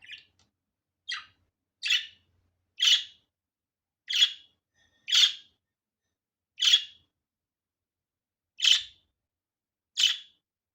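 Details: Budgerigar calling in a natural, unedited recording: nine short, sharp high chirps spaced about one to two seconds apart, with silence between them.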